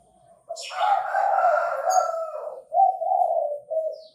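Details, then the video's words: Chinese francolin calls around bird trapping: one long, loud, rasping note followed by two shorter harsh syllables, against a quiet background. "Tiếng chim ĐA ĐA gáy"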